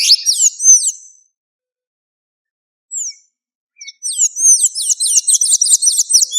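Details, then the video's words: High-pitched, squeaky song of a Blue-grey tanager in the wild: an opening tumble of curled notes, a lone squeak, a silence, then a quick regular volley of about ten bright repeated squeaks. "SANHAÇO DA AMAZÔNIA CANTANDO MUITO - CANTO DO SANHAÇO DA AMAZÔNIA NA NATUREZA"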